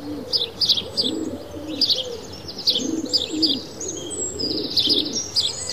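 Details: Several sparrows bathing in water and in dust chirp over and over in short, bright, scratchy notes, while a pigeon or dove coos low in the background.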